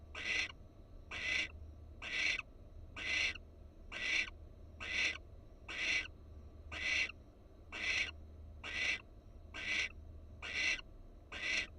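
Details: Wild barn owl in Florida seen on a nest camera, the female alert; a long regular series of twelve short, harsh, hissing screeches at about one per second over a quiet hum.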